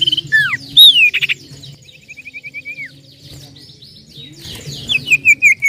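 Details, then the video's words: Common Iora song for luring birds, lively 'nyiull' style: varied whistled slurs, a fast even trill of short notes, then a burst of quick repeated chirps, with a low background hum throughout. "pancingan burung cipoh/sirtu gacor suara nyiull nyiull"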